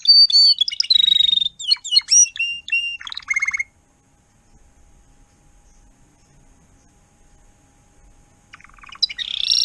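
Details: Adult Timbrado canary acting as tutor for young birds, 2021: nearly four seconds of quick varied trills and sweeping whistled notes, then about five seconds of near silence before another rapid trill begins.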